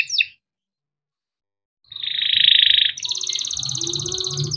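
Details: Young canary singing cuit-cuit chirps and rolls for juvenile canaries: one quick chirp, a pause, then a loud buzzy trill shifting into a higher rapid roll, with low muffled background sound.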